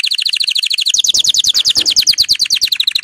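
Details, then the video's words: Excited male canary singing, used to prepare birds for breeding: fast, dense trilled tours of sharp high notes repeated several times a second, shifting to a slightly higher, buzzier trill after the first second. "اقوى بتبتات لتهييج الكناري على التغريد و تجهيز الطيور للتزاوج - صوت دكر الكناري الهائج"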